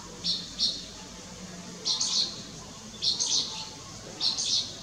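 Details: A striated swallow at Lugu on 30 June 2022 gives four clear double-pulsed high chirps, each about half a second long and spaced roughly a second apart, in a quiet setting.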